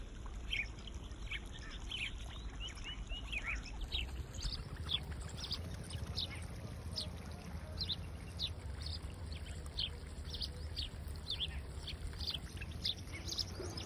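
Red-wattled lapwing giving sharp, high, clipped notes in quick bursts throughout, over a steady low rumble of wind or traffic.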